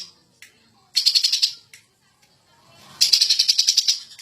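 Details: Champion greater green leafbird in an agitated ngentrok song: two fast rattling trills of roughly eight sharp pulses each, about two seconds apart, with faint clicks between.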